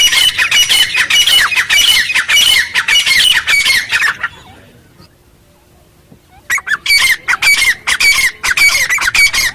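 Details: Grey francolin calling in the wild jungle: loud, harsh, rapidly repeated squawking notes, about two per second, stopping for roughly two seconds of near silence midway before the calling bursts resume.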